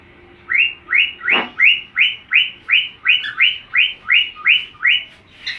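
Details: Pet cockatiel copying another cockatiel's song: eleven or so evenly spaced rising whistles repeated rapidly, with a brief click partway through and faint room noise.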